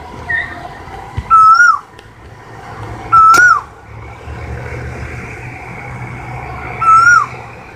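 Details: Asian koel repeating a loud whistled note three times, roughly every two to three seconds, each note level then gently rising before falling off, with faint clicks and low rumble behind.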